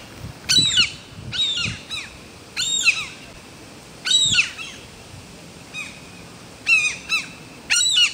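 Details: Gulls nesting on a ventilation chimney of a five-storey apartment block, chicks walking about the roof; loud mewing, downward-slurred calls in short bursts every second or two, with a faint low rumble behind.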